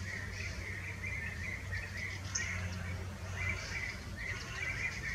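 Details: Fieldfares eating berries in the Eifel give short, harsh chattering notes in quick bursts, repeated every second or so, over a steady low rumble of wind or distant traffic.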